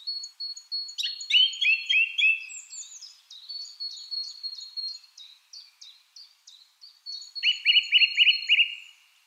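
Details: Song thrush pouring out a long run of rapid, repeated short high notes, with a burst of fast chattering phrases near the start and again near the end.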